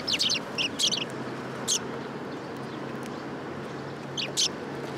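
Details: Sparrows coming to be fed at a Tenmangu shrine in Japan on 3 October 2022; short high chirps in small bursts near the start and again around four seconds, over steady low traffic hum.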